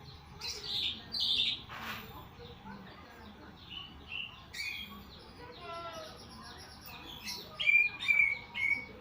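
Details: A greater green leafbird (cucak ijo) giving a strange, varied song: a jumble of whistles, harsh buzzy bursts and rapid rattling trills, ending in loud repeated sharp whistled notes.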